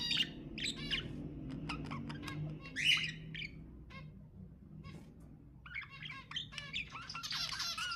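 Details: Budgerigar chatter of clicks and squawks in scattered bursts over a low background hum, ending in a denser buzzy warble.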